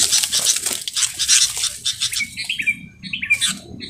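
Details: Sooty-headed bulbul (Pycnonotus aurigaster) gives short, bright chirping notes in quick bursts after two seconds of rough flapping and scuffling as a decoy bulbul fights a wild bulbul caught in a grip trap.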